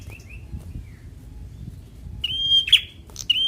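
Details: Bar-winged prinia described as a semi-young fighter, used to stir reluctant birds into singing; faint chirps at first, then a loud flat whistled note ending in a sharp buzzy downstroke, with a second phrase starting at the end.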